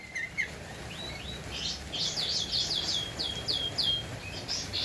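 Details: Master recording of a Javan white-eye for cage-bird training: quieter, thin whistled notes sliding downward, given in loose series over a background hiss.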